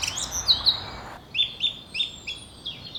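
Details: The year's first song thrush, singing at winter's end as a sign of spring, gives bright, high notes repeated about four times a second. A soft hiss covers the first second.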